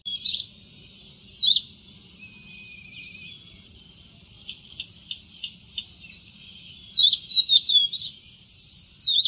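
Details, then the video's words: Melodious whistled phrases from an Oriental magpie-robin, with swooping slurred notes, a thin steady tone, then a burst of sharp clicking ticks before more looping, fluty whistles. "Shama Magpie Singing Songs | Shama dayal Song (saularis) | Dayal-rigó Song | Dajaldrossel Song"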